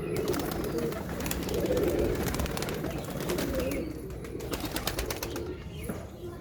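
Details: Low, rolling coos from a pigeon swell and fade in repeated phrases, mixed with sharp clicks and rustling over a constant noisy background.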